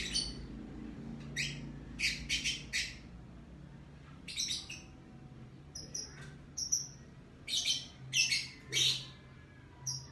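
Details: A lovebird chirps in the morning with irregular bursts of raspy squeaks, some in quick triplets, mixed with brief thin high notes and a constant faint low drone.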